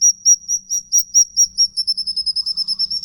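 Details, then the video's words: Songbird ngikik call meant to lure pet birds into song. High shrill whistled notes start widely spaced, then quicken into a tighter run. A faint low hum sits underneath. "Pnacingan burung ngikik panjang 3 menit non stop"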